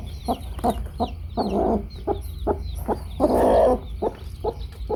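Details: A hen with her baby chicks gives a run of low, throaty clucks, some drawn out into longer grating notes. Constant high peeping chicks fill the background, along with a low hum.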